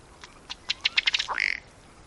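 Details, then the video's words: Ruddy duck from Wisconsin giving a dry series of ticks that speed up into a rapid rattle, then finish with a brief hoarse belching note. "Wisconsin Bird Sounds: Ruddy Duck"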